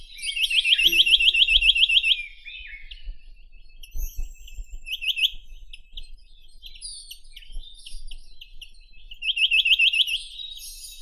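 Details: Chinese nuthatch (Sitta villosa): a quick trill of rising notes, a few short chirp bursts, then another matching trill near the end, with soft twitters in between.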